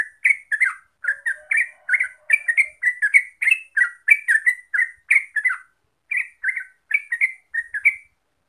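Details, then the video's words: Rapid lure song of a yellow-vented bulbul (trucuk), played so that other birds start singing in full 'gacor ropel' style: a steady stream of bright, bubbly chirps with a short gap near the end. "Pancingan Trucuk Biar Gacor Ropel"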